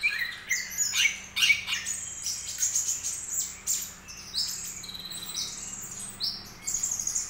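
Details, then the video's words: A young Greater green leafbird just starting to practise its song gives a rambling, uneven mix of high chirps, sharp squeaks and short whistled phrases in loose bursts. "trotol cucak ijo mulai latihan bunyi"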